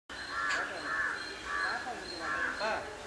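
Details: Jungle babblers in a coffee plantation at Yercaud give harsh, nasal, grating calls in a rough chatter, a burst roughly every half second.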